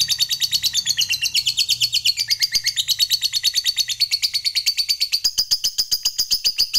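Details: Long 'ngekek' chatter from a fighter lovebird, used to provoke opponents: a continuous stream of quick scratchy high pulses, roughly seven a second, steady in rhythm, with a faint low hum underneath at the start.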